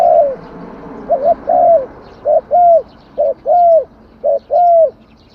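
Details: Repeated cooing of a spotted dove, short and long notes alternating steadily about once per second across several phrases, loud and clear over a soft background hiss.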